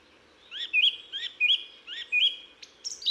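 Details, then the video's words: Song thrush singing in the Ossau valley of the Pyrenees: a bright phrase repeated three times in quick succession, each a short rising-falling whistle, followed by higher varied notes at the end. "Et voici le chant de la grive musicienne."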